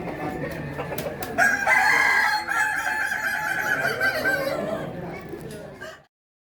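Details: Kukuak Balenggek chicken, an endemic breed from Solok, West Sumatra, Indonesia, crowing at a contest; one long harmonic crow runs about four seconds with stepped, wavering pitch and drawn-out syllables, over background noise and clicks, cut off abruptly.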